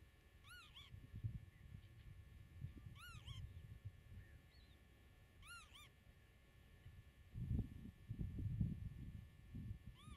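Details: Common redshank by its nest in grassland, camera 8 metres off: three evenly spaced pairs of arched, fluty whistled notes about every two and a half seconds, a later single note, with wind gusts rumbling.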